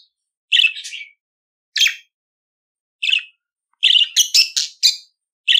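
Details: Budgerigar song for training pet budgies to sing, heard as separate short chattering phrases about a second apart, closing in a fast run of buzzy, squeaky warbled notes.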